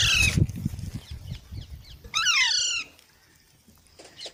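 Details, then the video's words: Baby parrots give a short harsh squawk, then a longer layered squawk that falls in pitch, followed by near quiet, with low thumping noise early on. "Baby Parrots Sounds"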